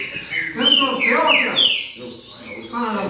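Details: Green-winged saltator in baderna song, giving a few strong downslurred whistles in quick succession, then a pause and softer notes, with low voice-like murmuring audible beneath the bird.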